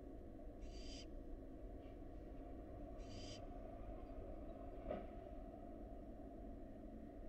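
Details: Nest-box barn owl fledgling, wild: two rasping hissed screeches a couple of seconds apart with a faint short one between, followed by a single knock, over low continuous hum.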